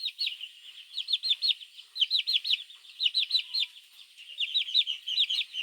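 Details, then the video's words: Baby chicks chirping in the morning, calling for their mother: shrill, downward-slurred peeps given in quick bursts of three or four, with brief pauses between groups, repeated through the whole stretch. "Baby chicks chirping sounds | Suara Anak Ayam memanggil Induk"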